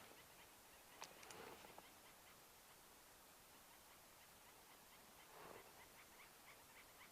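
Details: Dark-capped bulbuls by a riverbed at Rietspruit Game Reserve, South African Lowveld, on a sunset drive on 22 July 2024, give harsh chattering alarm calls at a bird of prey nearby, then quieter scolding, with faint calls from other birds.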